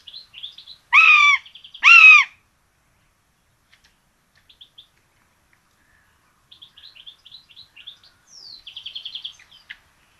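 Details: Common buzzard nest in Tiszalök, Hungary, 26 June 2022, where a pair of chicks is fed rabbit: two loud, harmonic, arching calls near the start, then quiet, with small songbirds twittering softly later.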